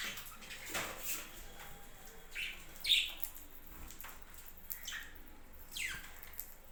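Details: Budgerigars at a budgie farm making a few short high chirps and one sharper squawk midway, spaced irregularly over a quiet background.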